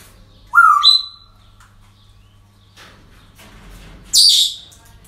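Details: Parrots calling at a breeding centre on an ordinary day: a sharp rising whistle followed by a higher whistled note, then quiet rustling and a harsh high screech near the end, over a low steady hum.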